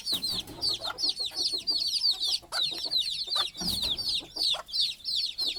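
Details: Nighttime scene of a hen sleeping on a stick at the nest as her still-small chicks climb to reach her: bursts of rapid piercing peeps from many chicks, in waves, with occasional lower clucks and rustling.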